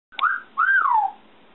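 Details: Female African grey parrot, kept at home about four months and only recently started whistling, gives two clear mid-pitched whistles: a short rising note, then a longer one that swells and slides downward.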